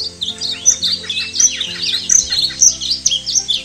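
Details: Painted Bunting, played back alongside the Indigo Bunting for comparison: a quick, tumbling run of high, sweet, slurred chirps and warbled notes, closely spaced for nearly four seconds. Soft, steady musical tones hum underneath.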